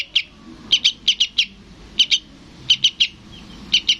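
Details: {'caption': 'Sooty-headed bulbul nestling calling for its parent. Loose pairs and triplets of sharp, high chips, irregularly spaced over a few seconds.'}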